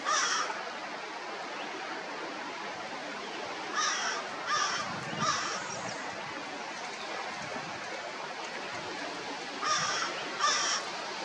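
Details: Eastern kingbird on the shore of Big Bay de Noc, foraging for insects; scattered short, harsh, buzzy chattering notes, one at the start, a cluster of three in the middle, and a pair near the end, over constant background noise.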